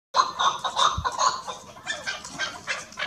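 A female chukar gives a run of quick, harsh clucking notes, about three a second, with a low thump near the start.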